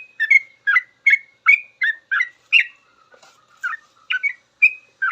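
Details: Song of a sooty-headed bulbul used as teaching material for cage birds: a fast series of sweet chirped notes, a short stretch of faint low trills, then more chirps.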